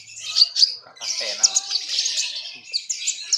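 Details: Common iora puffing itself up as it sings, giving a fast, high, scratchy warble of tweets and chirps in bursts, with a brief pause before the song resumes; a faint low sound briefly underneath.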